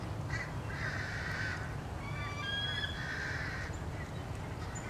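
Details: American crow mobbing a bald eagle beside its nest, March 30, 2016. Two long, rasping caws about two seconds apart, with faint high twittering between them and constant low noise.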